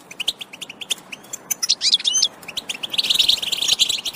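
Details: Several European goldfinches giving excited chirps said to stimulate males to sing: sparse sharp tweets at first, a burst of bright twittering midway, then a thick run of jangling notes to the end.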